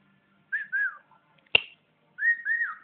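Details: Indoor pet bird giving a few clear whistled notes with slight upward and downward bends, broken by a single sharp click, then two longer arching whistles.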